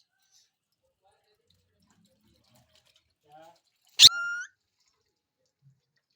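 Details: Indian ringneck parakeet calling indoors: one loud, short, harmonic-rich downslurred squawk lasting about half a second, preceded by a faint brief note, otherwise near silence.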